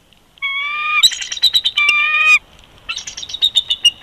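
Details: Winter nest of a bald eagle pair at Big Bear Lake, California, 22 February 2020, live feed; a long level squeal breaks into rapid chittering and another whistle, then a high, fast, stuttering chatter.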